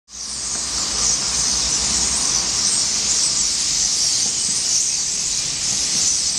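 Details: Starlings flying in flocks at Rennes, Brittany, France. A dense, continuous wall of high hissing squeals from many birds holds steady throughout, with a faint low rumble beneath.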